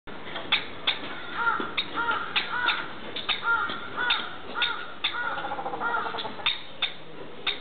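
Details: Female Palawan peacock-pheasant (Polyplectron napoleonis) at a zoo gives harsh, nasal cackling notes in quick uneven bursts, sometimes overlapping.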